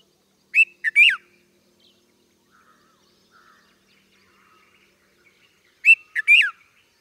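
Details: Red-vented bulbul giving two short bursts of liquid, chirpy notes, each a quick three-note phrase with a bright rising-then-falling final note, separated by about five seconds of near silence.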